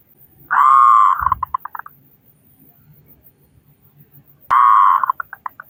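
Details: Loud-voiced local zebra dove from Indonesia, its song used to coax other doves into singing: two phrases four seconds apart, each a drawn-out low coo that breaks into rapid staccato notes, with a faint background hum.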